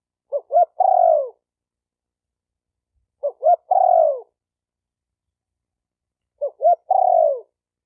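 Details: Spotted dove calling to stimulate decoys and birds of both sexes: three identical phrases about three seconds apart, each of two brief rising coos followed by a drawn-out, burry, falling note.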